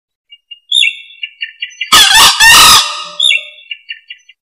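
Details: Green junglefowl, a rare wild fowl, in a recording meant for luring: one loud, hoarse, split crow in two harsh bursts, with small high chirping notes from another bird before and after.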